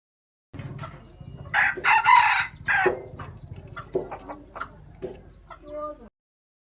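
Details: Chicken crowing, chosen for its fine sound: a hoarse, strident crow rises above steady low background rumble, followed by softer clucking notes.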